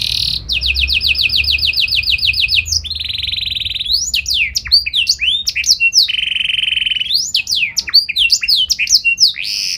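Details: Canary in full song with special phrasing, meant to make other canaries answer: a fast even trill of rising notes, a steady buzzy roll, then repeated looping whistled sweeps and another sustained roll over faint low hum.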